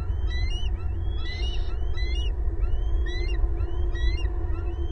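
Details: Loud family chorus of bald eagles, two adults with two young at home on their nest in southwest Florida, April 2022: series of thin, high whistled chirps rising then dropping, repeated every half second or so, steady low wind rumble beneath.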